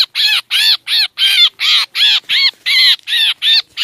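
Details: Trapping lure of black drongo calls. Ten hoarse, buzzy notes with arched, slightly wavering overtones follow one another at a brisk, fairly even pace, with no background noise.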